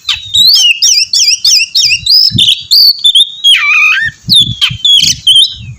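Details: Oriental magpie-robin giving a rich, fast song with a run of repeated two-note whistled figures, then scratchy chirps, a drawn-out falling whistle and more crisp notes, with soft low thumps in the background.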